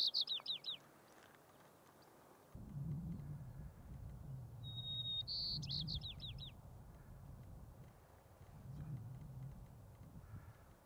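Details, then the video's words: White-crowned sparrow in alpine tundra, Rocky Mountain National Park, 6-10-2022: a song ending opens the recording, then a full song follows, a clear whistle dropping into a series of descending slurred notes, over gusty low wind. "White-crowned Sparrow Song"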